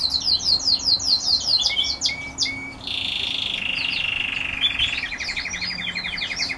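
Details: Red grey-winged canaries in song: quick descending chirps give way to a long, harsh buzzing roll, then a rapid, even trill of high repeated notes, with a faint low hum underneath.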